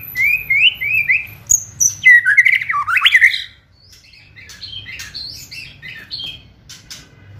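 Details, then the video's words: A white-rumped shama in a fierce kretekan performance, used to provoke and quicken singing. Repeated rising whistled phrases lead into loud, harsh warbling, then quieter high chips and twitters continue to the end. "Kretekan Gahar MURAI BATU GACOR ini untuk memancing Emosi dan mempercepat Ngeplong"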